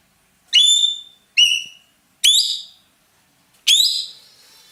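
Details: A loud roller, used in Indonesia as a master bird for teaching songbirds: four or five piercing whistled notes, each with a sudden upward sweep then a fading tail, about one per second.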